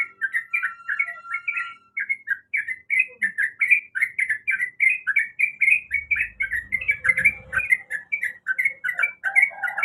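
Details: A female sooty-headed bulbul, in breeding condition, calls the male: a continuous run of brisk, chattering chirps, each note sliding up and down, delivered several per second with hardly a pause. A faint low thump appears partway.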